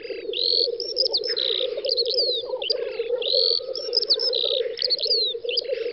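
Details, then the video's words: Black grouse displaying at a lek on a spring field, western Russia (Volga federal district), May 2019: constant bubbling low cooing with several harsh hissing sneezes, and bright whistled notes from other birds overhead. "Тетерев-косач токует"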